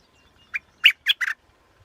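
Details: Four quick, high, slightly rasping chips from a scarlet-backed flowerpecker, the final note drawn out and buzzy, in an otherwise quiet setting.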